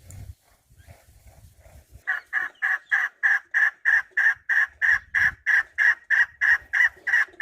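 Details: Chukar partridge giving a steady run of harsh, clipped chuk notes, about three per second, beginning after two seconds of quiet low rumbling and holding an even rhythm to the end.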